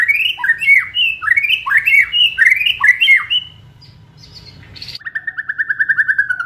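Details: Loud white-rumped shama song of fast swooping whistled notes, a brief pause, then a long even trill of quick repeated notes, used to provoke emotion and speed up singing.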